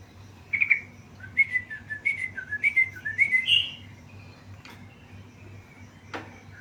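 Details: A tame yellow-vented bulbul sings a run of short bubbly whistled notes for about three seconds, then pauses, with a couple of sharp clicks afterward against a steady low hum.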